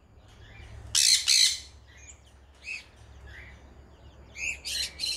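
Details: Sun conure (Aratinga solstitialis) gives loud, harsh, screechy squawks in short bursts, with softer chirps between.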